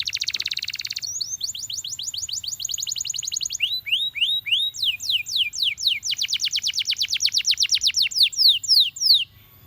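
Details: Belgian canary singing to encourage other canaries to sing: a dense buzzy burst, then rapid rattling trills, rising whistled slurs, and fast rolling series of descending notes changing tempo.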